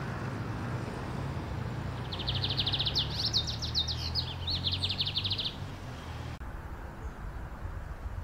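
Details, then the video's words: A lined seedeater (Sporophila lineola) in the wild sings a fast, high, buzzy trill of rapid repeated notes lasting about three seconds, over a steady low rumble of traffic or wind. "O CANTO DO BIGODE - BIGODINHO - Metralhando na Natureza"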